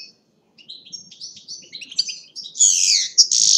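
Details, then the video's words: Goldfinch song from Agrinio, Greece: scattered high chirps and short whistled phrases that grow into a denser, buzzy twitter near the end, with a faint low rumble underneath. "Karderina (Goldfinch)"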